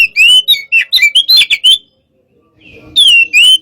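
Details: Kacer, 'hot type' sparring song, Oriental magpie-robin: a burst of loud slurred whistles and harsh notes, a pause with soft low rustling, then two more clear rising-falling whistles.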